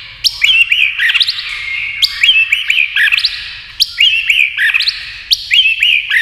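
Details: A white-rumped shama flicking its tail while song-dueling with a TV. It sings high whistled phrases with sharp clicks, and similar phrases return about every one to one and a half seconds.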